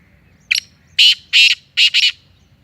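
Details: Black francolin, called kala tetar or Sindhi tetar, kept for training, giving a loud harsh grating call: one short rasping note, then four broad scratchy bursts grouped roughly in pairs over about one and a half seconds, background otherwise quiet.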